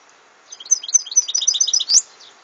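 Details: A single brisk phrase of European goldfinch song, 2014 recording: quick tinkling twitters and chirps run together for about one and a half seconds, ending on a sharp rising note.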